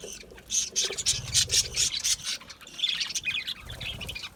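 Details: Budgerigars, small Australian parrots, chirping in an aviary: dense overlapping high chirps and squawky notes from several birds, rapid and irregular, with some low rumbling beneath.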